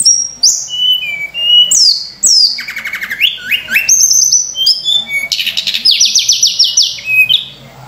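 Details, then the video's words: Continuous Sunda robin song intended to lure and train other songbirds, packed with varied phrases: falling whistles, rapid stuttering trills, buzzy rattling notes and piercing high tones linked almost without pause. "tledekan gunung gacor full isian mewah‼️untuk pancingan"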